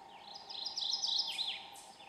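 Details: Mourning Warbler singing at first light in eastern hardwood forest at Argonne Experimental Forest, northern Wisconsin: a quick two-second run of bright, slurred chirping notes over a steady low hum.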